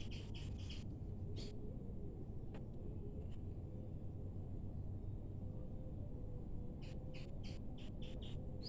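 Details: Malaysian pied fantail (Rhipidura javanica), a pair nesting for the third time with two growing chicks, recorded 3 March 2023, gives short, sharp, high chips in quick bursts over a steady low rumble.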